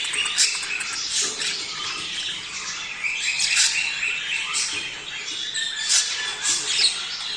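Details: A budgerigar flock calls in a sound for motivating males and females to mate: loud squawks spaced a second or two apart over a constant high chattering twitter.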